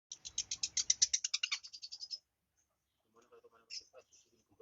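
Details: Young long-tailed shrike, just past the fledgling stage, learning to sing: a rapid two-second burst of high, scratchy chattering notes, then near silence with a few faint soft sounds.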